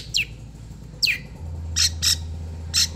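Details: Long-tailed shrike of the Madura type, kept as a cage bird and used as a training recording to teach other birds: sharp high descending whistles, then short buzzy bursts, repeated about once a second over a steady low hum.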